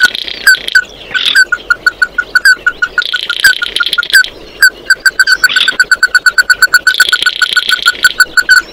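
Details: Oriental white-eye calling the flock with steady trains of short, bright notes, about two a second, broken by bursts of harsh buzzing noise that come and go.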